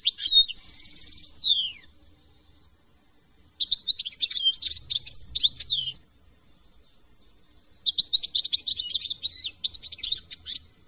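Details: Song of a European goldfinch in France: a buzzy nasal trill and downslurred note, then two separate bursts of quick, jangling high twittering divided by silent gaps of roughly two seconds.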